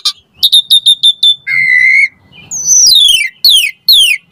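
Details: Asian pied starling puffing up in song, a lure for lazy starlings: a quick series of six ringing notes, a long steady low whistle, a brief chirp, then long sweeping falling whistles.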